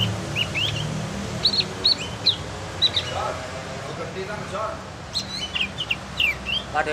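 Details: Javan White-eye, locally cucak gentong, still learning its sounds: scattered clusters of high twittering chirps and brief slurs across several seconds, with a quieter lower murmur and background noise between the phrases.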